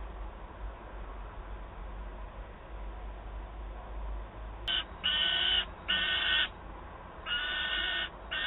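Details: At Wałbrzych, 9 August 2022, a young peregrine falcon complains to its mother for prey. After several seconds of quiet hum come four long, nasal, grating wails in a loose series.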